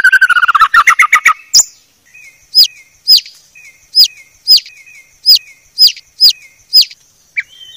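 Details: White-rumped shama tutor song: a fast rattling run, then a spaced series of about eight sharp high downslurred notes, each followed by a short soft whistle.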